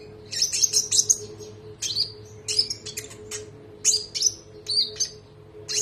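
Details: Konin song on a training recording: an opening run of rapid high trilled chirps, then spaced sharp whistled notes and chirp bursts, with a low steady hum in the background.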